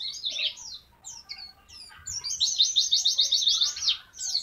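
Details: Mountain white-eye singing a tembakan-style training song: a few high chirps, then a fast, buzzy, high trill of rapid repeated notes lasting about two seconds.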